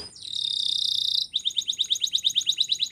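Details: Training song from a Belgian canary: a sustained, buzzy high note gives way to an evenly pulsed trill of sharp notes, about five a second.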